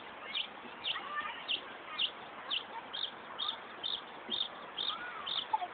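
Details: Car-alarm imitation by a northern mockingbird in Buckland Park, Brighton, New York; a regular run of high, slurred notes about two per second, with faint softer bird sounds underneath.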